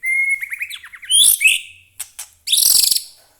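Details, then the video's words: Captive White-rumped shama: a steady whistle breaking into quick warbled notes, then harsh high buzzy bursts and a loud rasping chatter. "murai batu gacor AMPUH buat pancingan murai batu agar bunyi"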